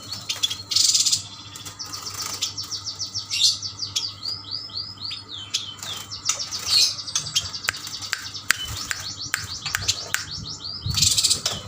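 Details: Kalimantan Yuhina, group of caged males and females, in lively song: long run of fast looping whistled notes and chirps, framed by short rasping buzzes at start and end, with clicks scattered throughout.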